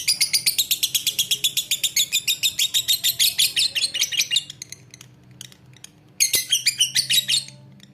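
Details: A lovebird's long chatter: steady rapid high chirps for about four seconds, a quieter gap with faint ticks, then a renewed short burst of harsh chirping.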